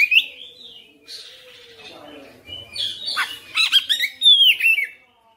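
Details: Oriental magpie-robin singing nonstop through its repertoire: clear whistled notes and a mellow low phrase at first, then dense scratchy chatter and a drawn-out descending whistle.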